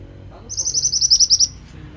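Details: Pied bushchat giving one energetic phrase: a run of about nine fast, high, clipped notes lasting roughly a second, against faint background hum.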